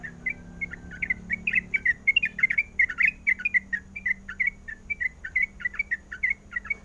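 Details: Calling for a mate, a female sooty-headed bulbul pours out rapid, slightly buzzy chirps that rise and fall, tightly packed and steady, over a soft low drone.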